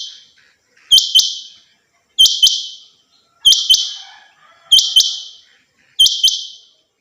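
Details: Hobby-kept female rain quail calling, five evenly spaced double notes, each a sharp chirp pair followed by a fading buzz, roughly every 1.3 seconds, with a faint murmur in the background.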